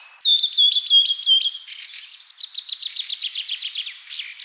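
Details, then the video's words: Bird singing against a quiet background: a quick run of about six clear whistled notes at one steady pitch, then a fast, buzzy trill of rapidly repeated notes that carries on to the end. "Bird sound"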